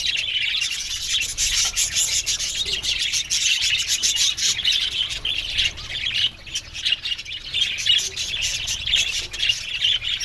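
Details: Budgerigars chattering together in an aviary, steady overlapping high chirps and occasional harsher squawks, dense and unbroken.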